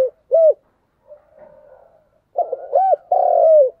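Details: One arched low coo from a spotted dove, then soft murmuring, then a fuller 'thúc gù' cooing phrase of a stuttered start, a rounded hoot and a long drawn, falling coo; nothing else heard.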